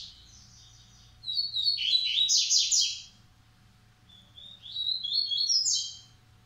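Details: Double-collared seedeaters, a Massai and a Baiano bird kept in a breeding aviary: two high, fast phrases of buzzy, tumbling notes and sharp chips, each about two seconds, over a faint low indoor hum.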